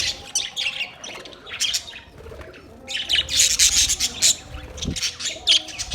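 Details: Parrot chirping: bursts of high, scratchy chirps with brief sharp notes, a quieter stretch, then a denser run of shrill overlapping tweets near the end.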